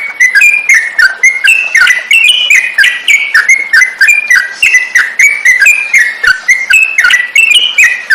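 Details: For training songbirds (masteran), a yellow-vented bulbul delivers a rapid, bubbling warble of short slurred notes, rising and falling in tight clusters with barely a gap between them.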